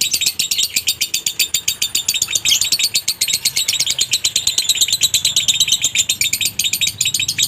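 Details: Konslet minor lovebird song with a dry tone, meant to set off other lovebirds singing: fast series of shrill, scratchy chirps repeated steadily, each note short and high, pouring on without pause.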